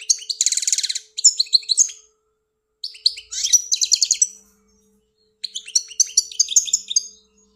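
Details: Algerian goldfinch in full song: three bursts of fast tinkling twitters and dry buzzy trills separated by silent gaps of one to two seconds.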